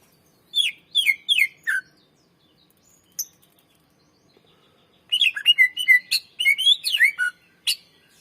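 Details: Greater green leafbird singing, played to lure and train other birds: four quick falling whistles, a single high note, a quiet gap, then a rich fast jumble of whistled slurs and sharp chips.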